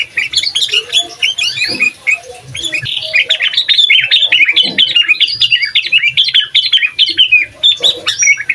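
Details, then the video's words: Sooty-headed bulbul in full gacor song, intended as master recording that angers other bulbuls; nearly unbroken stream of quick, jumbled whistled and chattering notes, about a phrase and a half per second. "Suara Asli Burung Kutilang Gacor Bikin Emosi Kutilang Lain, Cocok Untuk Masteran Kutilang Bahan"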